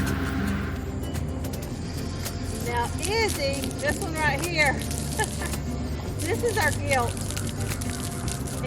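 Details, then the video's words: On a homestead near a pig yard, whistling ducks give clear, rising-and-falling whistled calls in a few brief bursts over a steady low rumble, with a voice in the background. "vous entendez tous ces canards on les appelle des canards siffleurs"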